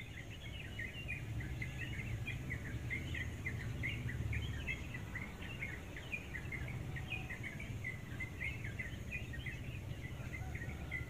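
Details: Wild bird singing in the early morning around 5:30, still dark, during a brief daily visit: rapid, chattering twittered phrases of varied chirps repeated continuously, over a steady low rumble of background noise.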